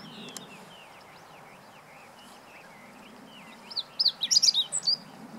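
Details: Meadow bunting song from 20 March 2015: soft, scattered chirps from other birds lead into one loud, fast cluster of high twittering notes near the end.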